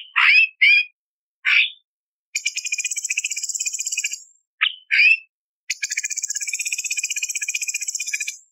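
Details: A Light-vented bulbul song tutor recording for training other songbirds: short, bright, rising whistled notes in small bursts, alternating with long, rapid, harsh buzzing trills of several seconds.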